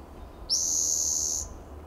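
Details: Wild Spotted Towhee in coastal Del Monte Forest, California, perched in shade of a lichen-covered coast live oak on a sunny June morning; a single dry, buzzing trill of nearly one second, even and high, against soft low rumble.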